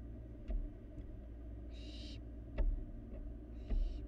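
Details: Nest-box camera in Florida records a barn owl fledgling at a meal: one strong breathy screech followed by a fainter one, with scattered thumps and clicks against a droning low background hum.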